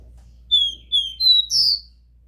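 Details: Pure 'Dó Ré Mi' song of a Copper seedeater, played to stimulate a captive bird: three sweet whistled notes stepping along at similar pitch, ending in a higher, harsher buzzy phrase over faint low hum.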